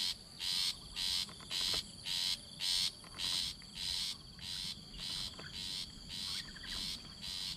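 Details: Very young Rufous-backed Shrike chick being fed by its mother: harsh, hissing rasps repeated steadily about twice a second, each a short noisy burst, over a constant high insect drone.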